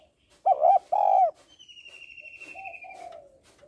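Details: Female spotted dove calls to stimulate males with a loud two-part hollow coo, then a softer, lower trailing coo. A high, buzzy, descending trill from another bird runs through the second half.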